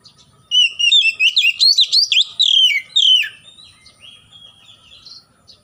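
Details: Oriental magpie-robin sunning itself after a morning dew bath as part of its daily care routine, bursting into about three seconds of loud, rapid whistled phrases, then quieter scattered high notes fading out.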